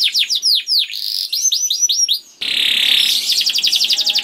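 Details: Young canary (kenari paud) singing to prompt other canaries to sing: rapid descending whistled sweeps, then a dense buzzy trill with fast repeated notes.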